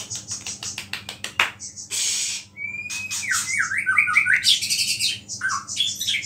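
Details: White-rumped shama singing with small-bird phrases woven in, a song meant to provoke other shamas. It opens with sharp clicks, then a loud noisy burst, a long rising whistle and tangled warbling notes.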